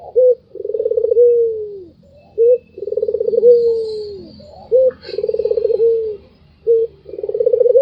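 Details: White Barbary dove repeating its laughing call four times, each a short sharp coo followed by a drawn-out, stuttering, rolling purr that falls away; a faint high squeak in the background.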